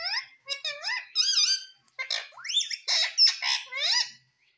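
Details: Pet parrot, green, kept indoors, said to call out words like "mummy" and "papa"; a run of squawky, speech-like syllables with rising and falling harmonic tones, several short bursts in quick succession.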